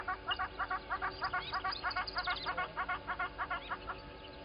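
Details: Little grebes at Gowrie dam waterhole, Djuma Game Reserve, Sabi Sand Wildtuin, South Africa, filmed by a live waterhole camera on 10/08/20; a fast, even trill of pulsed notes, about five per second, runs steadily throughout, with faint whistles above.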